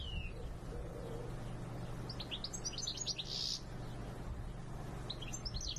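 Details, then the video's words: A European goldfinch sings in two quick bursts of high, tinkling, liquid twitters over a steady low mechanical hum. "European goldfinch Song"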